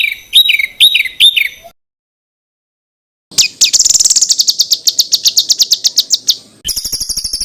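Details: Rough 'tembakan kasar' phrases of a small bird, used as training material for contest songbirds: a few downslurred chips, a pause, then a long fast metallic trill, ending in a very high buzzing rattle.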